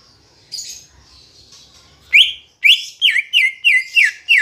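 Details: Green leafbird song played to make caged birds sing: soft twittering followed by a quick string of about seven loud sharp downslurred whistles, roughly three per second.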